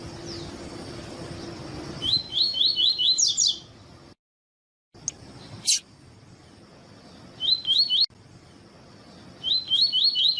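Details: Double-collared seedeater giving the 'tui tui' training song favoured by tournament breeders: short bursts of four or five bright, rising, whistled notes repeated every few seconds, with a pause and sharp clicks in between over a steady hiss.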